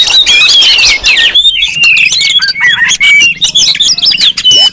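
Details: Busy Oriental magpie-robin chorus used as a lure to provoke magpie-robins: high fluting whistles and scratchy chatter pile up in quick overlapping phrases, with a brief lull before the calling surges again.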